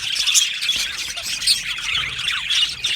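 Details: Aviary flock of Australian budgies chattering together: busy overlapping high chirps, warbles and short squawks from many birds, a constant bright twittering wall of sound with brief louder peaks.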